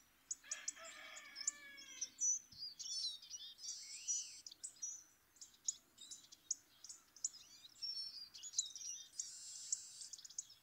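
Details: Hawfinch, recorded in 2024, giving sharp, very high clipped ticks in quick irregular bursts among other small-bird chirps, with a rooster crowing briefly near the start.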